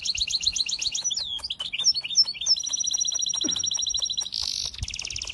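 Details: Birdsong: rapid high chirps and twittering notes, then a long sustained whistled tone and a dense buzzy trill, over a faint background of soft clicks.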